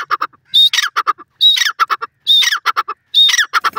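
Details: Teetar (francolin) calling in the wild. A loud, harsh call phrase repeats about once a second. Each phrase opens with a short, high, clear whistle, then a burst of rasping, clipped notes that fade into a few softer clicks.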